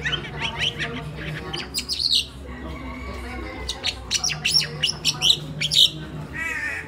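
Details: Pet crested myna kept at home in the Philippines, a mimic bird, giving a busy jumble of sharp chirps and short squawky notes in uneven bursts, over a low steady electrical hum.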